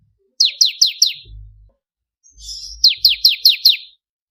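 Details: Bar-winged prinia song used as a training model for songbirds: a burst of four sharp downslurred notes, a brief buzzy interlude, then six more rapid falling whistles with low thumping noise between.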